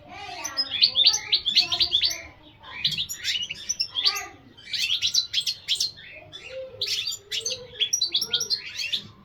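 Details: Continuous European goldfinch song: rapid, high, jingling twitters and fast trills delivered in repeated bursts of about two seconds separated by short gaps, bright and clean.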